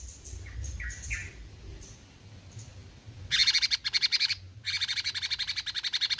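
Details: Bulbul called cucak cungkok, singing actively in besetan style: faint high whistled notes give way to loud, rapid, harsh pulsed chatter in two long bursts, the second running steadily to the end.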